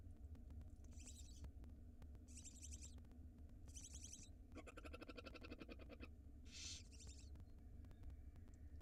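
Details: Barn owl nestlings begging at feeding time in an Israeli nest with a live 4K camera, March 2022: a run of rasping hissy bursts about a second apart, with one longer buzzy, rattling hiss in the middle, over a constant low hum.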